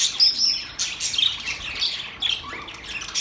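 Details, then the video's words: Budgerigar warbling: a steady, high-pitched stream of chattering chirps, clicks and squeaky notes with no pauses, and no other sounds. "Singing Budgies sound"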